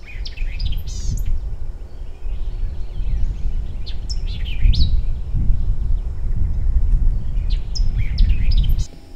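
White-eyed vireo giving sharp, quick chip-and-whistle phrases, spaced a few seconds apart, over a steady low rumble of wind or distant traffic.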